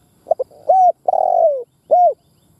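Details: Spotted dove used as a decoy to excite other doves. It gives two quick soft pips, a steady mellow coo, a long rolling coo sliding lower, and a rounded closing coo, all low-pitched and close.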